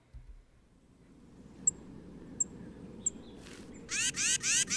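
Tufted Titmouse scolding: three thin high notes, then a quick series of four harsh, scratchy nasal calls, over a soft background hum.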